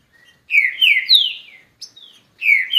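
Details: Green-winged saltator (trinca-ferro), a kept bird named Relâmpago, singing rich, slurred whistles: three descending phrases in quick succession, a short pause, then more falling notes, all clear and loud.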